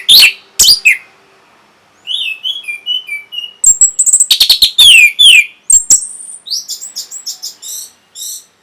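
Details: Orange-headed thrush song used to arouse breeding drive and get a response: varied sweet slurred whistles and thin high notes alternating with rapid, sharp clicking bursts.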